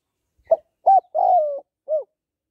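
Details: Female spotted dove cooing to stir a male: a quick soft note, a strong short hoot, then a drawn-out coo easing downward, and a final rounded note, with nothing else around.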